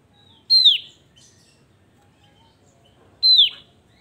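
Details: Javan grey-throated white-eye singing actively, two loud clear whistles that slide steeply downward, about three seconds apart, with faint soft notes between them.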